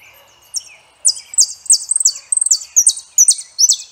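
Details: Song of a saffron finch: after a soft lower note, rapid high chirps tumble downward in pitch, some doubled into quick stutters, delivered in a lively uneven rhythm.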